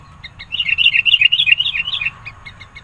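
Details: Sooty-headed bulbul in forceful chatty song to pressure rivals and lure birds: a fast bubbling warble of rapid high notes lasting about one and a half seconds, framed by a few sharp ticks.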